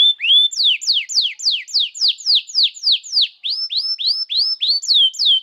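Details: Singing canary used as a master for young birds and to coax silent canaries: a steady series of about fourteen high slurred whistles, first falling, then rising, repeated roughly every third of a second.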